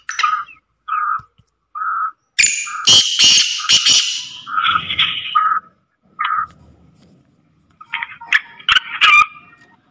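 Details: A female black francolin, calling to excite male partridges and draw wild ones to answer, gives short, mid-pitched piping notes about a second apart, broken by loud, harsh crackling bursts.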